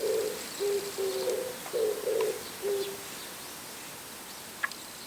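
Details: Morning cooing of an Oriental turtle dove perched on a home antenna: about three seconds of low, husky hoots grouped in short rhythmic phrases, then near silence with a faint distant chirp and a click.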